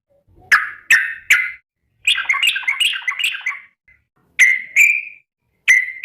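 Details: Sooty-headed bulbul calling to companions; three sharp chirping notes, then a rapid bubbling phrase of descending warbled notes, then two more single chirps after a pause.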